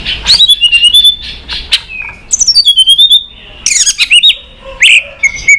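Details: White-rumped shama singing in many voices, used to excite and train other shamas to sing: loud varied whistled phrases with sharp high clicks and chattering notes, shifting pitch rapidly.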